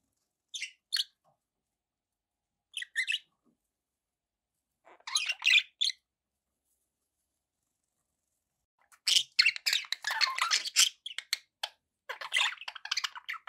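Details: Budgerigars kept as pets give a few brief paired chirps separated by silence, followed by a longer run of dense, scratchy warbling chatter that continues in bursts to the end.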